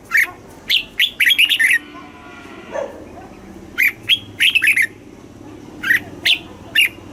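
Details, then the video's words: Red-whiskered bulbul, caged, in Thailand, singing a southern 'mae bot' phrase meant to excite other caged birds and train young birds: rapid bursts of lively chirped notes, a short lull, then more quick phrases. "เสียงนกกรงหัวจุก สำหรับต่อ หรือ เปิดให้นกคึก"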